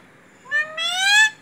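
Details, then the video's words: A kept parrot says "mummy" in a single two-syllable utterance. The quiet first part is followed by a drawn-out, gently rising, harmonic-rich second part, with no other notable sounds. "मम्मी बोलने वाला तोता"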